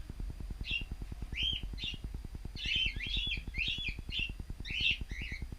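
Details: Cockatiels in an aviary, recorded by a static camera: short, harsh chirps. They start sparse, then come in dense, overlapping bursts from the middle of the clip. A steady low mechanical ticking runs underneath throughout.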